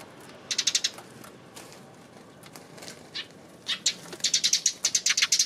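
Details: Sparrows recorded on 28 May, with rapid series of short, high chirps in two bursts, the second long and evenly spaced, separated by a quieter stretch of faint calls.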